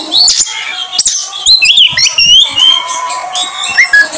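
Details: Oriental magpie-robin song, used as a trigger recording to draw out a bird's repertoire: rich varied whistles, rising and falling slurs and quick chattering notes in bursts, over a steady low tonal hum.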